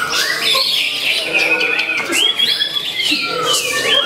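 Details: Young white-rumped shama, eight to nine months old, singing in a songbird contest arena: dense, rapid run of sliding whistles and sharp chips with rising and falling notes, overlapping with steady background chatter.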